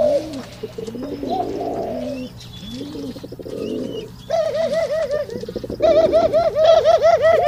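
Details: Pigeon males in mating display: soft low coos at first, then loud, rapid, ringing note series pulsing several times a second that grow stronger toward the end.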